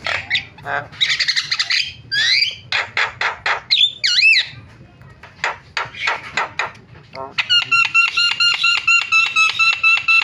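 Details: Starling lure for setting off calls from other starlings: harsh chatter, clicking series and a looping whistle, followed by a rapid ringing buzz of stacked tones repeated evenly.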